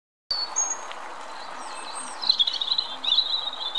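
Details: European robin singing: high, thin whistled notes in varied short phrases, ending in rapid warbled, trilling notes, over a steady low hum.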